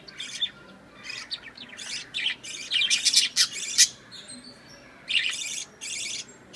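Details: Pet budgerigars at home chatter in quick, scratchy, high-pitched bursts with squeaky chirps mixed in.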